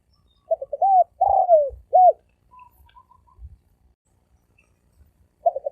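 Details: Spotted dove singing thổ ồm vang cooing at speed. Quick stuttered low notes lead into a long falling coo and a short arched note. A faint higher twittering and soft knocks follow, then the next phrase starts.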